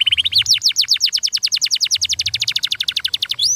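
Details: Fast-paced canary song of rapidly repeated falling whistle notes, rising slightly in pitch at the start, then a long even run to the end.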